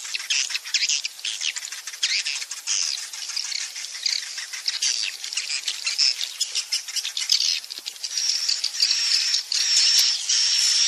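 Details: Roosting lure sound for swiftlets, played so young birds stay and nest in a bird house: continuous crowded high-pitched chattering and clicking chirps, with brief thin whistled tones near the end.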